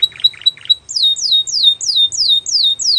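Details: Belgian canary gives three soft, low chattering notes, then a loud series of high descending whistled slurs, about three per second.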